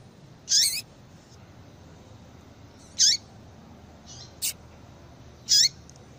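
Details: Female yellow-bellied seedeater calling to stimulate a male to sing: sharp, high chips with a short downward tail, repeated about every two and a half seconds, with fainter softer notes and a thin click between them.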